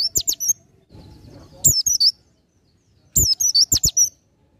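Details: Oriental white-eye delivering ngalas nembak song, meant as masteran material: quick, high, slurred whistles strung into three dense bursts of sharp notes, with a brief soft rustle between phrases.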